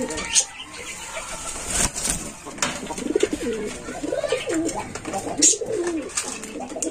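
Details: Young Lotan pigeon of Indian origin, six days old, farm-kept, producing continuous soft wavering coos with rising and falling pitch, mixed with sharp clicks, flutters and indoor room sound.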